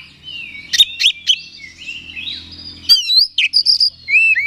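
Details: Oriental magpie-robin used to provoke another bird into an aggressive, fired-up state: loud varied song of whistled sweeps and sharp chirps high in pitch, with a rising whistle, a faint low hum beneath.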